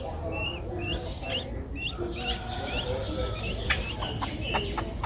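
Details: Begging nestling Streak-eared Bulbul, aged 11 days, Ubon Ratchathani, Thailand, April 2023: rising squeaky chirps in the first half, then sharp clicks and broader scratchy notes, against low background noise.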